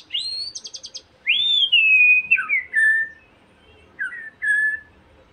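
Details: White-rumped shama song played to provoke another shama into eager singing: a rising whistle, a quick buzzy trill of five pulses, then long clear falling whistles and two short lower whistled phrases against a quiet background.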